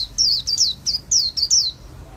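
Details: White-eye performing líu xòe song, a kept bird of notable quality: a quick series of about six bright, high whistled notes, each sliding downward, delivered in rapid bursts with short gaps between them.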